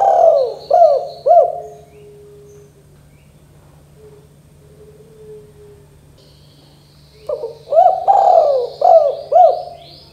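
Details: Spotted dove call in the 'kuk 2' style, for prompting young birds to call. The end of a phrase with three clipped hooked coos is followed by a long quiet gap, then a full low rolling phrase begins. Soft distant chirps are heard.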